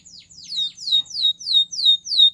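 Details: Russian canary repeating a clear, high whistled note that slides downward, about six times in two seconds, each phrase evenly spaced.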